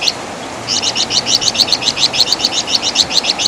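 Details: Javan fulvetta (local name wergan jawa) used for songbird training: one lone chirp, a short pause, then a steady stream of rapid high repeated notes.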